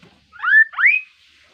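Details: Two clear, loud whistles from a kaso-kaso bird, each sliding smoothly upward, the second higher and longer, delivered as a sweet, lively call.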